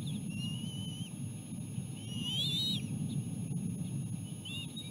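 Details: Bald eagle nestlings fed seal placenta by their mother, the youngest fending off a sibling. Only a few brief high whistles, one louder wavering note near the middle, with a steady low rumble throughout.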